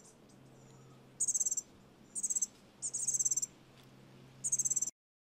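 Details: Bushtit, a tiny gray and brown bird usually in busy flocks: very high, thin, rapid buzzy trills in four short bursts, each lasting under half a second, over a low steady hum.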